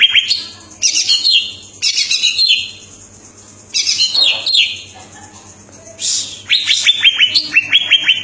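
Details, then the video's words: Energetic song of a greater green leafbird, called cucak ijo, mixing loud rasping high bursts and short pauses, then a closing string of sharp, repeated down-slurred whistles. "burung cucak ijo gacor sampe ngentrok ngentrok"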